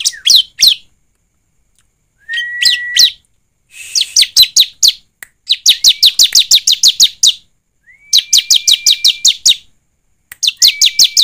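Bar-winged Prinia song: fast series of sharp, high chipping notes, repeated in bursts, with a thin level whistle introducing some phrases.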